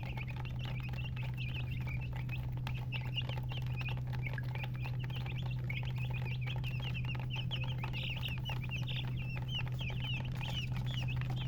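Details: Colour chickens, murgi, chirping steadily: many short high peeps growing busier toward the end, partly masked by a strong low hum and rumble.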